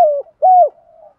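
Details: Spotted dove decoy calling to attract wild doves in the thúc gù style. A falling hoot is followed by a loud, even coo that drops at the end, then a faint trailing murmur.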